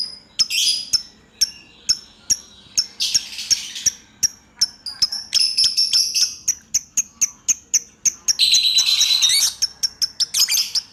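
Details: Lovebird singing in the continuous ngacor style: sharp, high clicks repeated about three times a second, broken by dense, scratchy high chattering bursts near 3 and 6 seconds and a grating trill around 9 seconds.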